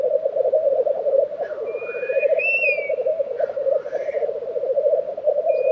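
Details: Lekking black grouse in Tiveden, Sweden, in April 2023 keep up a steady, dense bubbling coo. Clear rising and falling whistles from other birds sound above it.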